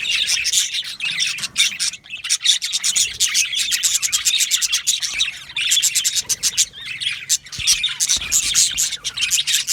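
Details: Yellow male budgies chatter with rapid ticking chirps in quick bursts, broken by brief pauses, over a continuous background of overlapping high warbles.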